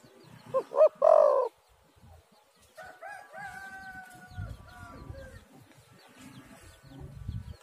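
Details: Spotted dove call played as a lure to make other doves call: a loud three-part coo, two short hoots then a longer drawn-out note, followed by fainter thin whistled tones from another source and low background rumble.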